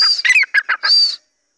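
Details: Grey francolin, a large king-size bird of the Dakni type, giving a shrill burst of harsh, scratchy syllables in quick succession, ending in a long high whistled note that cuts off abruptly.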